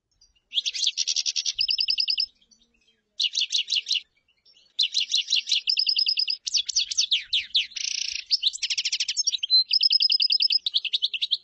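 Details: Common chaffinch song of several phrases: quick note trills, some falling, some level and even, plus a buzzy burst, repeated with short pauses over eleven seconds. Quiet background.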